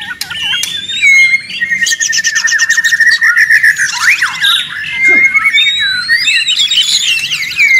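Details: Agitated, noisy White-rumped shama (murai batu) song for provoking other birds to answer: rough chatter and clicks, a long steady whistled trill, then looping, swooping whistles.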